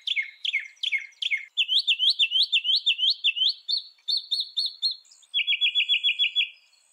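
A Northern Mockingbird runs through bright, high phrases, repeating each several times: falling slurs, then quick rising chirps, then a fast rattling trill. No other sounds intrude.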